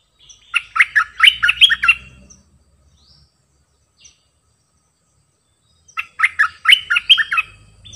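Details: Two chattering, melodious bursts from a caged decoy bulbul come about five seconds apart. A faint low hum and a couple of soft notes sit in between.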